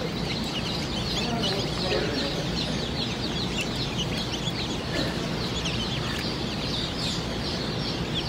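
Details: A brood of day-old Dominique chicks fills the air with nonstop shrill, short cheeps, dozens overlapping at once, while a deep mechanical hum runs steadily underneath.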